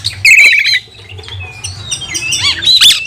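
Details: Oriental magpie-robin singing to provoke and train other males: a strident, buzzy phrase, then softer thin whistles, ending in a loud rising squeal, over a steady low hum.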